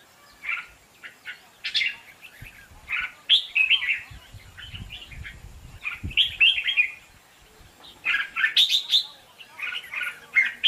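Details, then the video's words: A red-whiskered bulbul sings bright, bubbling whistled phrases in short bursts every second or two, with faint low thumps beneath; recording used as a lure in bird trapping. "chào mào đỉnh cao, cực đep, hót cực hay"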